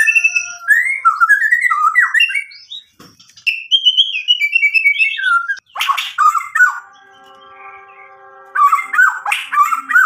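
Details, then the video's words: White-rumped shama song for provoking other shamas: a flowing run of slurred whistles and warbles, brief harsh bursts midway, a stretch of steady tones, then quick whistled notes again. "MURAI BATU GACOR bikin EMOSI lawan jadi NYAUT"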